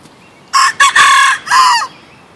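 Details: A young bantam rooster gives a short, high, strained crow in three quick bursts, the last rising then falling, over quiet background.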